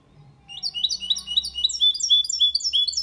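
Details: A goldfinch × canary hybrid sings a clean, error-free, fast, unbroken stream of high, bright twittering notes and liquid trills, about four a second, with no other sounds, recorded to stimulate females and teach young birds.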